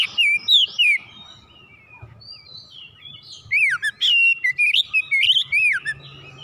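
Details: Oriental magpie-robin singing excitedly through its repertoire: a few clear, descending whistles, a softer pause with quiet warbling, then a lively cluster of varied slurred and twisting whistled notes.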